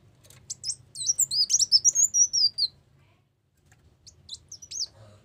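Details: Brown-throated sunbird singing as a trapping lure: a short rush of high, jumbled twittering notes lasting under two seconds, silence, then a few scattered thin chirps with faint low hum.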